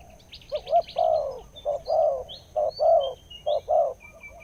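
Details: Wild spotted dove with a big, deep voice, singing in the Thai 'khu-ang' style after nearly two years of tracking; loud hollow coos repeated about once a second in paired rhythmic phrases, with faint chirps from other birds above.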